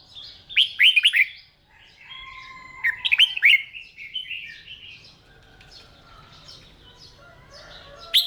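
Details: Caged red-whiskered bulbul trained for singing contests, heard during morning voice practice; loud bursts of sharp, looping whistled notes come in two quick clusters, followed by softer warbling and a final sharp note.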